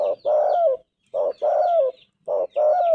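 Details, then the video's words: Spotted Dove, a vocal bird prized for its golden voice, giving its cooing song: a short low coo followed by a longer, slightly rising then falling hoarse coo, repeated three times. "Tekukur gacor suara emas"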